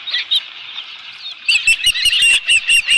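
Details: Osprey on the Dunrovin Ranch nest with a live fish, 11 July 2018: faint whistled notes at first, then a clear run of high, piping chirps repeated several times a second, with some rustling.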